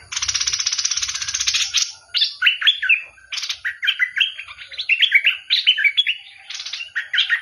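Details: Bulbul opening with a long harsh, rattling buzz, then breaking into quick runs of clear, bouncing whistled notes.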